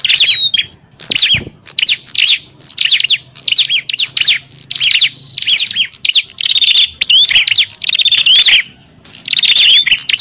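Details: Bar-winged prinia fighting calls to call in wild prinias: loud, rapid runs of high chirps and slurred notes, with a short thud near the start and faint low hum between bursts.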